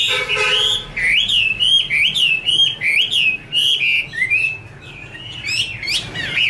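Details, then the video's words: Chinese hwamei female, kept as a songbird, singing with a male behind: a short harsh note opens, then a steady series of rising whistled slurs about twice a second, trailing into softer notes. "Chim hoạ mi: Mái te đỉnh cao của năm _ có chim trống làm nền"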